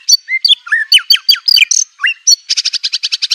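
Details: Aceh white-rumped shama master recording used for training birds: a fast varied run of sharp whistled slurs and chips, ending in a rapid, even buzzy rattle.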